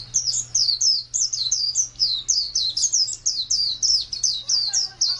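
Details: Oriental white-eye, wild-type 'ngalas' song: rapid series of high, slurred whistled notes, each dipping then rising, repeated several times per second in a continuous chattering stream; low steady hum underneath.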